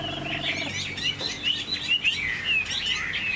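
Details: Chinese hwamei kept as a cage bird, singing a stream of slurred whistles and quick trills over a low background hum and a brief mechanical tone.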